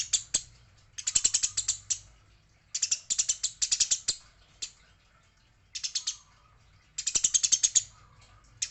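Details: Eurasian tree sparrow in a fight, uttering clusters of harsh, rasping chirps in about five bursts separated by brief silences, some bursts fast and dense, a few scattered single notes between them.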